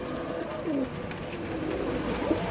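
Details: An old-breed pigeon gives soft, low cooing notes that swell and fade over a steady indoor hum.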